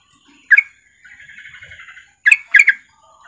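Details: A female Sooty-headed bulbul calling to a male gives loud, bubbly two-note bursts with a softer chattering run between them, all mid-pitched and quick.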